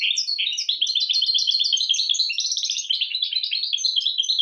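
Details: Continuous high-pitched warbling from a mule hybrid of goldfinch and canary, a stream of quick chirps, trills and thin whistled notes without pause, played as a teaching song for goldfinches and canaries.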